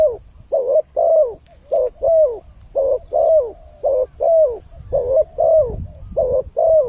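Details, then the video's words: Lure call of a spotted dove, played to attract wild birds: steady run of soft, rounded coos in quick pairs, about fourteen notes, each note falling gently at its end, faint low rumble beneath. "suara pancingan burung tekukur, untuk mendatangkan burung liar."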